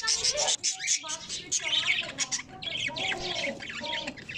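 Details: Newly hatched cockatiel (Nymphicus hollandicus) chicks from an April 2023 breeding give dense, raspy, high chirps and squeaks in a busy, overlapping chorus.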